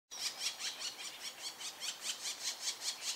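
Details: Black woodpecker, seen up close: harsh, squealing high notes repeated steadily about two and a half times a second for over three seconds. Each note is a loud broadband burst, with no other birds or background sounds.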